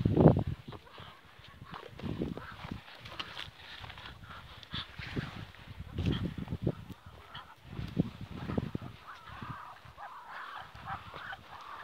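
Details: Ducks talking among themselves with soft, purring, ululating sounds: quiet low grunting bursts at irregular intervals, a louder note at the start, and brief higher nasal tones near the end.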